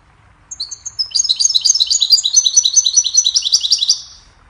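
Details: Goldfinch song offered as a melody to teach and train songbirds: after a few thin high introductory notes, a rapid, bright, tinkling twitter of chirps and trills runs steadily for about three seconds, then stops, with a quiet background.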